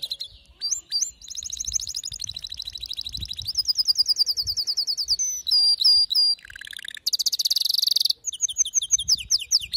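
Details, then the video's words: Agitated male canary singing a varied string of tours: quick repeated high chirps, looping whistled notes, a brief lower rolling phrase, a dense buzzy burst, then more rapid high trills. "هيجان ذكرى كناري سيجبر كناريك على التغريد فورا"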